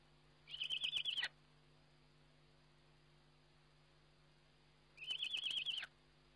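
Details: Eurasian eagle-owl at a webcam-watched nest during feeding, 29 May 2011: two high, wavering, trilled calls under a second long each, separated by a four-second pause, over a steady low hum.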